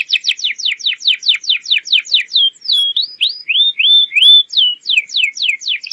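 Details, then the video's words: Atlantic canary singing a lure song for juvenile birds: loud, rapid series of sharp downslurred notes, a middle passage of rising curled whistles, then the quick downslurred notes return. "PANCINGAN BURUNG KENARI GACOR UNTUK PAUD AGAR CEPAT NYAUT"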